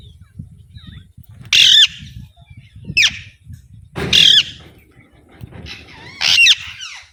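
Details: Harsh, grating squawks from an Alexandrine parakeet, four separated screeches, some with a short rising-falling edge, over a soft low background rumble.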